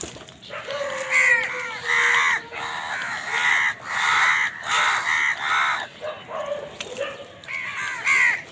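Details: Many crows cawing in the morning as they fight wild birds for food: a dense run of loud, hoarse, rasping caws, each about half a second long, rising and falling in a steady chorus.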